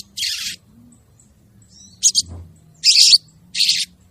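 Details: Female crested jay calling for the male, lure sound: four broad, hoarse rasping bursts of uneven length with pauses between them.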